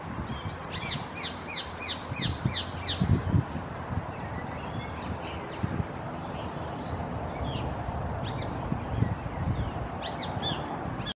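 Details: Blue-crowned parakeets described as "in love" give harsh, grating screeches in quick runs, several a second, with a pause and then another burst. A steady low rumble of wind or handling runs beneath.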